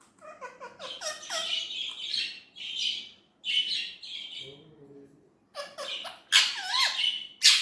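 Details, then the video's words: Indian ringneck parrot uttering mimicked words: clipped, shrill syllables in short bursts, a faint low murmur in a pause, then loud scratchy squawks at the end. "Natural talking parrot voice"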